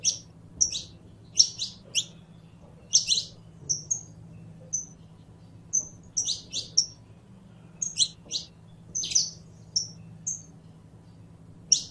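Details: Saffron finch (canario criollo) giving a long sequence of sharp high chirps and buzzy slurred notes in loose bursts, mixed with short pure whistled tones, over a steady low hum.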